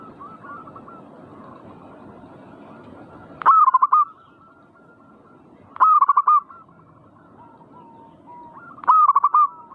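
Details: Zebra dove song, played to stir birds into frequent 'manggung' singing: three loud bursts of rapid, staccato cooing notes, each burst a quick run of about six beats, roughly every three seconds over fainter distant cooing.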